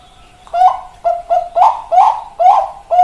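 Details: Bangkok-type zebra dove (perkutut), 4 March 2023, singing a halting series of about six stuttered cooing notes. Each note is short, hooked and slightly rising, with uneven gaps between them.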